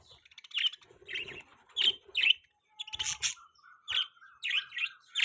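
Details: Budgies calling with a string of short, high, slightly rising chirps, roughly two per second, over soft background chatter and a brief faint whistled tone.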